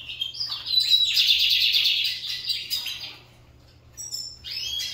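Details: Owned lined seedeaters in a singing contest pour out a fast, buzzy high trill for about two seconds. A quieter pause follows, then brief high whistled phrases.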